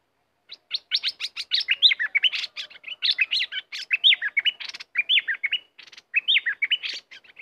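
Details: Red-whiskered bulbul kept as a competition bird and described as especially fierce this week. It gives a loud, rapid run of varied whistled and warbling notes, rising and falling, in bursts separated by brief pauses, with no other sounds.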